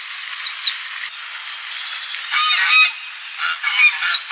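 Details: Goose on a lagoon gives two strong, blaring honk bursts after a quieter opening where thin, descending whistles from other birds are heard.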